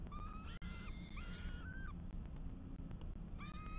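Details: A peregrine falcon on a nest camera on 12 May 2022 gives drawn-out, whining calls at a steady mid pitch, three in quick succession, a pause, then one more, over a heavy low rumble of wind or traffic.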